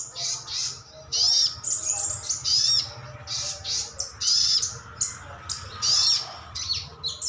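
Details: Caged sunbird called sogon, sogok otong or sriganti, giving calls meant to lure responses from other birds: continuous high, buzzy chirps and thin rising whistles, with a soft low rumble behind.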